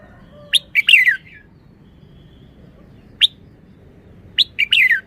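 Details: Red-whiskered bulbul singing short, loud, sharp whistled phrases that slur downward, given in two bursts around three seconds apart, with a brief isolated note between them over a quiet background.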